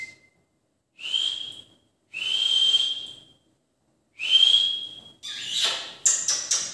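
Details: Rose-ringed parakeet, called Indian ring-neck, giving three drawn-out, slightly harsh whistled calls about a second apart, followed by a flurry of scratchy, broadband squawks and chattering notes.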